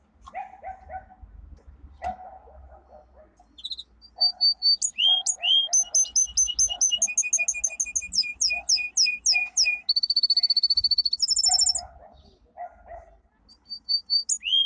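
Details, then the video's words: Two domestic canaries give powerful training song: long, varied runs of fast repeated trills, whistled notes and high rolling phrases, with fainter, lower chirping runs underneath. "Canary singing - 2 Canary 's most powerful song"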